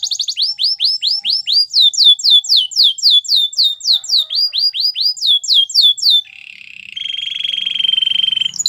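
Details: Canary singing for training: long run of bright downward-slurred whistled notes repeated steadily, about four per second, followed by a lower buzzy rolling trill that grows louder.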